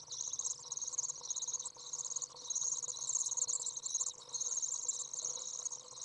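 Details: Young common swifts out of the nest on a very warm 30 °C day, 27 June 2011, a parent coming in to feed: a high, thin, buzzy trill, continuous for several seconds, swelling and fading in loudness.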